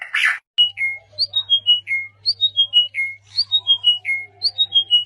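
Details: Bird song: a harsh rasping burst opens, then clear whistled notes fall in short descending cascades, each phrase about a second long and repeated, over a faint steady low hum.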